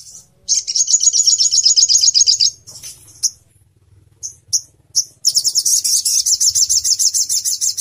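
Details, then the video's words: High buzzy trill from a crimson sunbird, known locally as sogon and used as Indonesian master audio for songbirds. Fast rapid notes run for two seconds, a pause with a few sharp chirps, then a long trill resumes. "Sogon Bakal langsung NYAUT, NEMBAK NGALAS || Nembak Tajam & Suara Jernih"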